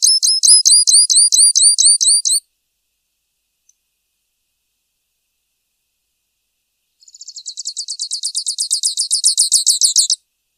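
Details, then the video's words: Grassland yellow finch (Sicalis luteola) singing: a fast series of high, buzzy repeated notes for about two seconds, a long silence, then a second trill of rapid chirping notes that swells louder toward the end. "Misto Canto - Misto Llamado - Sonido! Cantando! - Grassland Yellow Finch Bird Song - Sicalis Luteola"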